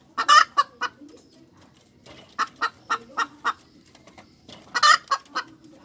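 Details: Cackling hens, an emphatic opening burst, then a steady run of evenly spaced clucks and a final loud flourish of harsh notes.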